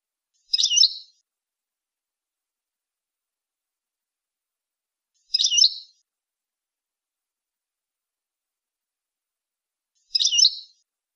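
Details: European goldfinch tutoring recording for young goldfinches and hybrids: a single bright, tinkling chirp burst returning roughly every five seconds, high-pitched, with silence between.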